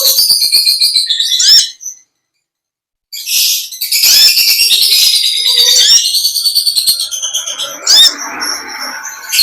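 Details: Konin (olive-backed sunbird) ngekek panjang: long, dense, high buzzy warbling with sharp rising notes, a pause of about a second, then another sustained, crowded run of shrill twittering.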